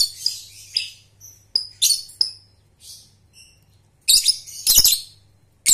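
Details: Lovebird of the Balibu/paud type learning ngekek, used to train young birds; scattered thin whistles and short chattering phrases, then loud dense bursts of shrill chatter near the end, with a faint steady low hum.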